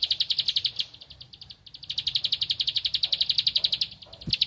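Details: Rice-field bar-winged prinia searching for a rival: rapid high clicks in long runs, dropping briefly near the second mark before a strong steady stretch, ending with a short burst and a low knock.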